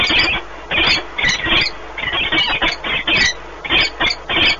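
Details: Peregrine falcons at the Orlen Płock nest, Poland, 1 March 2019, bonding during a long meeting; rapid harsh chattering bursts, repeated several times a second in short series.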